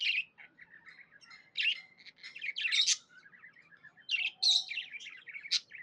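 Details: Happy pet budgerigar chirping: a busy chattering warble of short, scratchy notes and bright squeaky bursts, loud outbursts near the start, middle and end, with softer chatter between and a quiet room.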